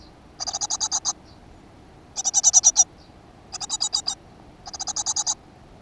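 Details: Great tit at a nest box in a school garden in June 2015. Four separate high, rattling bursts of fast pulses are spaced over a second apart, with quiet between them.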